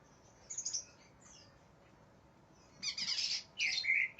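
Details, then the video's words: Greater green leafbird singing aggressively, worked up and seeking a rival; short bursts of high slurred whistles, a long pause, then loud harsh chattering phrases and a sharp whistled note near the end. "cak ijo NGAMUK cari LAWAN"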